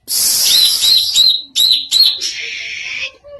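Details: Greater green leafbird making a strange sound: a loud, harsh, hissing rasp lasting over a second, then two shorter raspy bursts and a longer buzzy note, all high-pitched and close.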